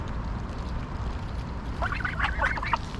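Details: Greylag geese at Pearson Park, Hull, England, on 22 August 2021, recorded on a GoPro Hero9: a short cluster of nasal honks in the second half, over a steady low rumble of background noise.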